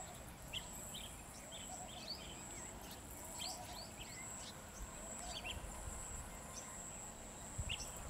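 Blue-tailed bee-eaters give short, trilled chirps scattered through the clip over steady rumbling background noise.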